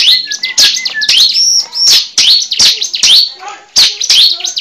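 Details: Prinia (cible) calls used as a bird-catching lure: loud, high, sharp chirps and downslurred notes in quick bursts, with brief whistled phrases between them.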